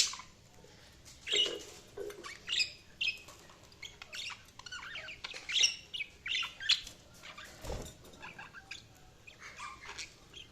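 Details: Budgerigars chirping in steady bursts of scratchy chatter and thin whistles, with a low thump partway through.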